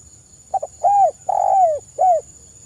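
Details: Spotted dove singing a phrase used as a lure for other doves: a quick double note, then two drawn-out arched coos and a final shorter coo, clear over faint low background noise.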